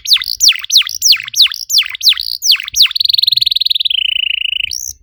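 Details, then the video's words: Canary song used to stimulate other canaries to sing: a run of sharply falling whistled notes, roughly three per second, then a fast, buzzing rattle that slowly drops in pitch before ending on a high note. "PANCINGAN EFEKTIF BURUNG KENARI, CORR DORRR!!"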